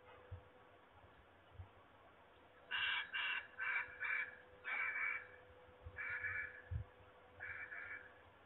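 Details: Peregrine falcon calling at Trzebież, Poland, on 26 March 2021: loud, harsh, raspy notes in quick runs of four, then longer grating bursts, with a low steady hum and some low thumps in the background.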